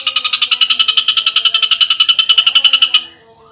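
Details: Rapid-fire gacor nembak rapat singing from a champion ashy drongo: one even, buzzy pulsed trill of about three seconds, evenly repeated beats, then it stops abruptly, leaving quiet background.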